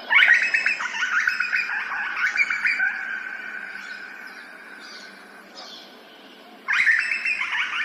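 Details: Grey butcherbird singing in Australia, captured in ambisonic surround sound. A loud burst of varied, fluty warbling dies away into quieter phrases, then the song resumes strongly near the end over a steady low hum.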